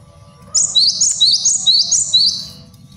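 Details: Male cinereous tit, a master song for luring and teaching other birds. Loud, high, ringing two-note phrases repeat about six times in quick, even succession, fading at the end over a faint hum.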